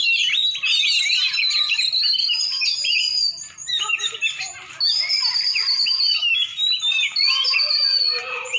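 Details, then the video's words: Champion Oriental magpie-robin from Aceh, Indonesia, singing long clear high whistles mixed with quick chattering notes, pausing briefly partway before resuming. "Kacer juara"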